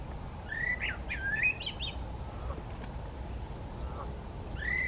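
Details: A male garganey on a pool in a Limburg nature reserve in the far south of the Netherlands, 4 April 2023, gives a short run of dry, creaky rising-and-falling notes, then one more, over a low steady rumble.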